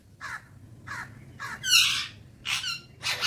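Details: Alexandrine parakeet, a talking parrot enjoying morning time. Three short nasal calls come in quick succession, then louder, harsher screeches follow close together.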